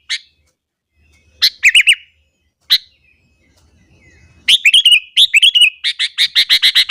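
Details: A sooty-headed bulbul singing in the morning to provoke rival bulbuls: isolated chips and one warbled phrase, then an unbroken stream of bubbly warbles ending in fast, evenly repeated bright notes.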